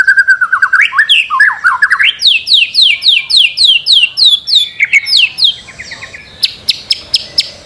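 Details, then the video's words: Master-recording song of a white-rumped shama for training birds to sing, with looping whistled phrases followed by a fast, evenly paced series of high downslurred notes and a few sharp clicks at the end. "Masteran murai batu. Di jamin langsung rajin bunyi"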